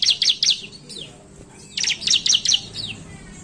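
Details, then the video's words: Bar-winged Prinia singing in the energetic narung style, used as a lure to get other prinias singing: two bursts of four sharp, high, rapid chirps, each burst trailing into a few thinner descending notes, over a low steady background hum. "Ciblek gacor narung | pancingan ampuh ciblek suka ngetem"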